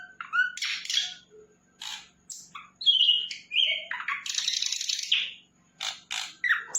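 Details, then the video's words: Sikatan londo flycatcher singing vigorously: scattered chips and slurred whistles, a clear rising whistle, then a longer buzzy, scratchy trill followed by more sharp notes, with a faint low background hum. "Sikatan Londo Gacor"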